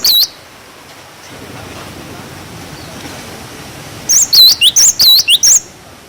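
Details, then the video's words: Cinereous tit song for tutoring young birds, 'wucit wucit' style. A lone high swooping whistle is followed by about three seconds of low rushing noise, then a quick run of looping whistles and short slurred notes. "Masteran glatik batu wucit wucit"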